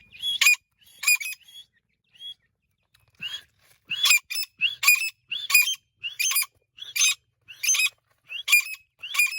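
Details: Calls of an Irani teetar partridge: hoarse, high, scratchy notes, each with a brief rising upsweep, delivered in pairs after a pause, then in a brisk regular run.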